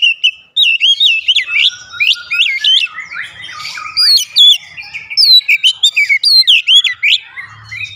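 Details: Oriental magpie-robin in energetic 'gacor' singing: repeated wavy whistled phrases with rising and falling slurs, delivered in quick bursts over several seconds.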